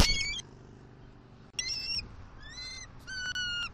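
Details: Bald eagles at a Southwest Florida nest on October 28, 2023, as the male brings fish gifts to the female: four bursts of high, thin, whistled chittering notes with bright overtones, spaced through a quiet background.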